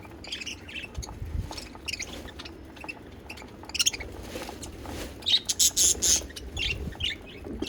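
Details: Budgerigar song from pet birds, scattered soft chirps building to a burst of sharp, bright, rapid squeaks near the end.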